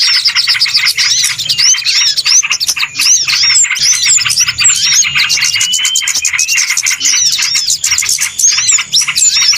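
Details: Small birds in a lure recording for catching birds: loud overlapping chirps and rapid pulsed chatter, many hooked whistled notes, with one long thin level whistle near the middle.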